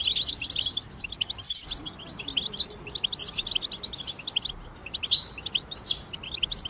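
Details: Several European goldfinches chattering together, a group song to help birds sing and come out of moult: busy high twitters and sharp sparkling notes in clustered phrases, with constant low hiss behind.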